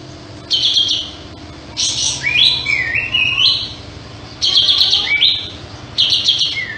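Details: Sooty-headed bulbul in full song with tail spread, delivering longer phrases that open with a scratchy burst and run into a series of rising and falling fluted whistles, two main phrases separated by a short pause.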